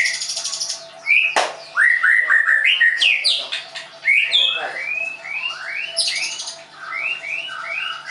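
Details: A Leuser white-rumped shama, kept at a Tangerang bird-training school in Indonesia, pours out quick sequences of rising whistled slurs, high sibilant trills and repeated upslurred notes in a continuous lively song.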